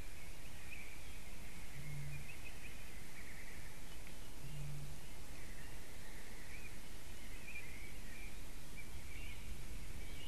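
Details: A Eurasian bittern in Zivjērglis, Latvia, at 20:42 on 29 April 2017 gives deep, hollow booms, two low pulses a few seconds apart over a steady rumble; a roe deer is also recorded there.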